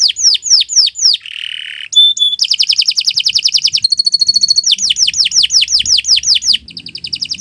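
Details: Canary in full, long song, used to train other birds: descending swept whistles, a harsh buzzy note, a sharp pure tone, then fast rolling trills and a high tinkling series, ending in more down-slurred whistles.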